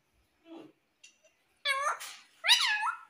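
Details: Pet Indian ringneck parakeet said to talk, saying words like "mummy" and "papa"; a faint low mumble, then two loud, nasal, harmonic word-like squawks with sweeping pitch, indoors.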